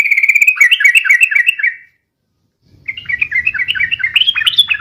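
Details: Rapid, long, noisy yellow-vented bulbul song used to lure and tutor birds: a held bright note sliding into quick rolling phrases, a brief silence, then another bubbly run rising in pitch, with low background rumble.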